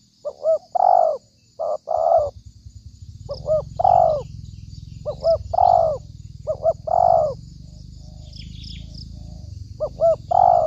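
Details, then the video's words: Spotted dove calling as a lure for trapping: six low phrases, two quick notes then a drawn-out coo, irregularly spaced, with a steady low rumbling noise from the third phrase onward. "pikat tekukur || pikat terlampau garang"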